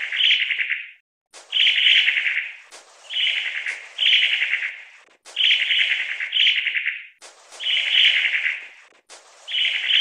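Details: Long-tailed tit calling repeatedly, about seven short, grating rattles in ten seconds, each under a second long, broken by brief quiet gaps and crisp clicks.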